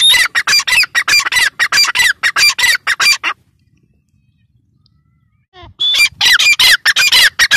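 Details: Rapid, harsh, repeated partridge calls in a long run, then about two seconds of silence before the loud grating series resumes.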